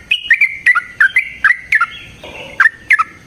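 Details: Sooty-headed bulbul (trucukan) lure song for making other bulbuls sing: loud, liquid, bubbling two-part whistled phrases repeated about every half second, dropping in pitch.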